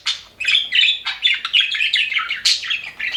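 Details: A budgerigar in a happy aviary group gives a string of bright, whistled chirps and short warbled notes in quick succession.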